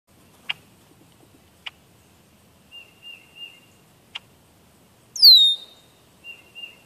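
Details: A Red-winged Blackbird on a birdcam in late June gives a few sharp, clicking check notes, one loud high whistle sliding steeply downward, and soft, wavering short notes in between.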